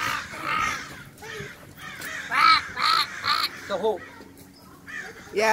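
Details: Backyard crows mobbing another crow, harsh cawing calls in irregular bursts, several loud caws in quick succession mid-way, a person speaking faintly in the background.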